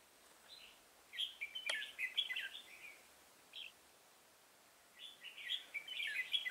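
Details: Red-whiskered bulbul singing as a decoy while trapping an old wild bird on 24 September 2018: lively chattering, warbling phrases in rapid runs, a short gap, then another dense burst.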